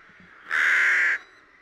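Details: A rook (Corvus frugilegus) in Lithuania in early spring, when rooks return, gives a single harsh, drawn-out caw lasting under a second, hoarse and even in pitch, against a quiet background.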